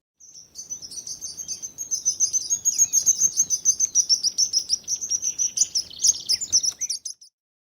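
A sparrow gives a rapid run of high, bright chirps, about three or four a second, for roughly six seconds with no other clear sounds.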